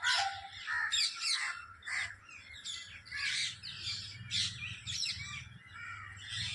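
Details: Flock of parrots calling together in chorus; dense overlapping shrill chirps and screechy squawks, constant chatter with short bursts every second or so, over a low background rumble.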